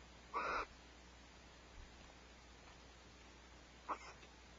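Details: Barn owls at Starr Ranch on 1 January 2012, just before 5 am while sharing a vole prey meal: one harsh, hissing screech of about a third of a second, then a shorter, fainter rasp three seconds later, over quiet night hum.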